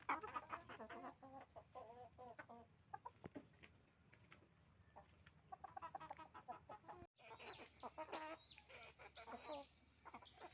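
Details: Roosters and hens noisily clucking on a chicken farm, dense bursts of short harmonic clucks, a brief gap, then more crowded flock calling.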